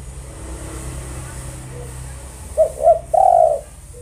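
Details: Spotted dove, kept for its melodious voice, giving a three-part coo: two brief hooting notes, then a longer sustained note, over faint background hiss and hum.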